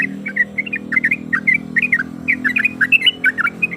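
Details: A female yellow-vented bulbul, eager to breed, calls to a male and provokes rivals with bright, jerky whistled notes in uneven clusters of two or three, with a low steady hum behind.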